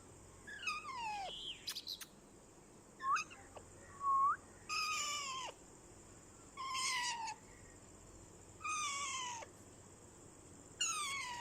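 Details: Talking rose-ringed parakeet, a ringneck parrot, producing a series of short separate utterances, each a harmonic tone sliding downward, spaced a second or two apart with quiet gaps and a steady high hum behind.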